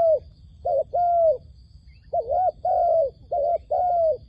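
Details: Lure dove calling during a dove-trapping session: a pair of coos, a gap, then a run of short-long coo pairs, mellow and slightly wavering, with soft rumbling noise beneath.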